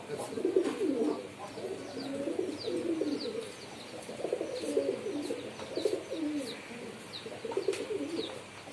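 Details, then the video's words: Pigeons give repeated low, throaty, bubbling coos in short bouts, while small birds add quick high chirps throughout. "Pigeon Sound || Different Different Pigeon Sound effect"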